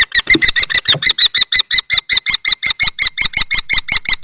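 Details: Piercing, regularly repeated kee calls from common kestrels fighting in a nest box at Théding on 20 March 2024. An adult male tries to evict a younger male. Faint bumps come at the start.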